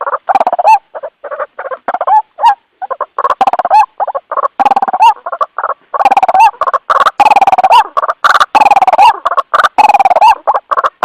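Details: White-breasted waterhen calling to its companions, recorded as a lure: loud, rasping, repeated croaks with rising squeaky notes mixed in, forming an insistent, uneven chatter that runs continuously throughout.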